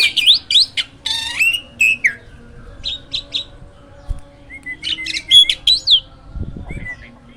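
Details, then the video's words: Master-training song of a caged hybrid jalak: squeaky whistles and a buzzy burst, short separate chirp groups, then falling whistled notes amid quieter gaps. "JALAK HYBIRD GACOOR!! MASTERNYA PARA JUARA."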